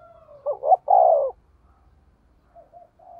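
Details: Spotted dove kept as a decoy, deep 'thổ' voice, 'thúc gù' cooing: one phrase of a short warbled double note and a drawn-out falling coo, then faint soft murmurs and low background rumble.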